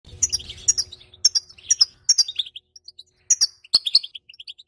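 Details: Female European goldfinch calling to stimulate silent males and ready them for mating. Bright, liquid twittering notes come in quick clusters of two or three, with brief pauses. Low rumbling noise is heard at the start.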